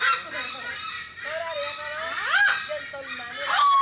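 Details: Captive setting at the Philippine Eagle Center in Davao City, where a bird keeps up a continuous rasping, cackling laugh. Rough overtone-laden notes swell and fade, with a couple of sharper upslurred cries.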